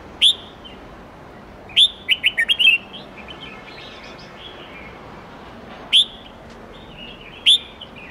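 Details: Red-whiskered bulbul, wild-standard song style of 8 to 10 notes used to tutor young birds; scattered single sharp whistled notes with one short run of quick chirps in between, soft faint notes trailing after.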